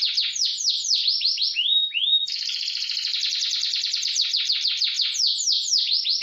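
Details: Canary fast roll used to train other canaries: rapid falling sweeps, two rising whistles, then a dense unbroken roll of quick notes with sweeping flourishes near the end.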